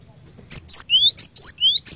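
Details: Cinereous tit (glatik batu) song used as a lure recording to get caged birds singing. Sharp high chips alternate with clear rising whistled sweeps in a quick uneven series, with a faint low rumble underneath.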